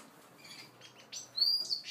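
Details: Seagreen parrotfinches feeding and interacting: soft faint notes, then a sharp, thin, high chirp and a short run of bright high tweets at the end.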